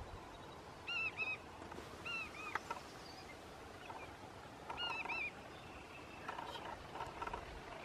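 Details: Saltmarsh sparrow in the marsh at Parker River National Wildlife Refuge, Plum Island, Massachusetts, June 14, 2016, bathing, preening and moving about; short clear chevron-shaped whistled notes in pairs and small groups over steady marsh background noise.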